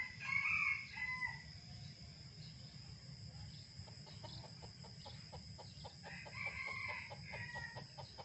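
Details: A red junglefowl crows twice in the morning, each a short, harsh, rising-and-falling crow about a second long, with rapid clicking pulses in the gap over a steady low rumble.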